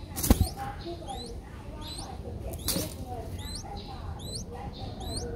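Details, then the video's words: Nestling Streak-eared Bulbuls five days old in Ubon Ratchathani, Thailand, 7 April 2023, utter paired thin rising squeaks at short intervals, interrupted by two loud knocks, over low background noise. "นกปรอดสวน อายุ 5 วัน : Streak-eared Bulbul (Pycnonotus blanfordi)"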